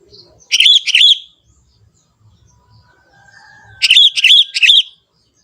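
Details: Sooty-headed bulbul, a young forest bird, sings in its natural voice. Two lively phrases of three to four bright, bubbly, warbled notes are separated by about three seconds of quiet. A faint, thin, drawn-out tone sounds between them.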